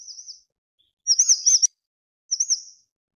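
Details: Pericrocotus solaris, the grey-chinned minivet, calling with brief high rolling whistles: a soft phrase, then a louder rippling burst, and a last short wavering note.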